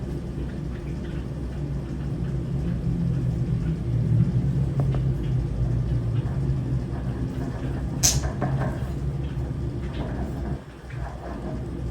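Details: Low vehicle rumble with a faint voice and a brief clatter, with no animal calls.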